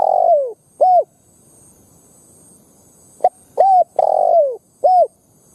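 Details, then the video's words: Spotted dove lure bird cooing to incite wild doves, short rising-falling hoots and longer descending husky coos given in an irregular sequence with a quiet gap midway. "Tiếng Chim Cu Gáy mồi đất gáy kích bổi"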